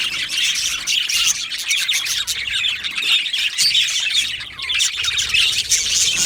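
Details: Many yellow male budgies in an aviary colony twitter and warble continuously, scratchy squawks mixed with thin whistles and rapid chirping.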